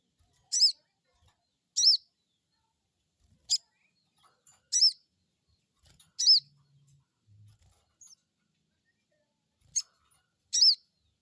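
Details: Crested jay crecet calls, a lure to get a new bird calling: loud, harsh, high chirps with a scratchy, layered quality, repeated irregularly every one to two seconds in silence.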